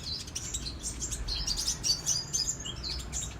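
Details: Lively sunbird song, local name kolibri raja: an unbroken, rapid high-pitched twitter of thin buzzy notes, about four per second, without pauses.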